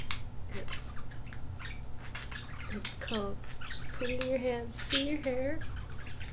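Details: A six-month-old, sexually mature male pet budgerigar chatters and warbles in short, bending, nasal phrases with scratchy clicks between them while doing his love dance on his owner's head, with a rival budgie nearby.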